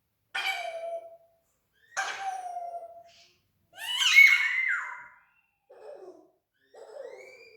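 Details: Talking pet parrot imitating sound effects in an indoor room: two nasal, harmonic squawks, a loud buzzy descending screech, then softer rough grunts and a faint rising whistle.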